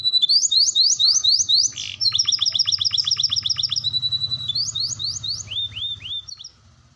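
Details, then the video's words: Brown canary singing energetically; quick series of rising whistled notes, a long run of rapid sharp downstrokes, a sustained high tone, then more clipped rising chirps, with a faint low hum underneath. "kenari gacor si brown"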